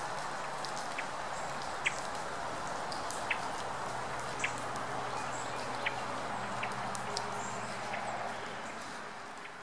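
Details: One Hermit Thrush (Catharus guttatus faxoni) calling rather than singing in Mary Esther, Okaloosa County, Florida, USA, 6 March 2014: short, dry chuck notes about every second and a half over a steady rain-like hiss.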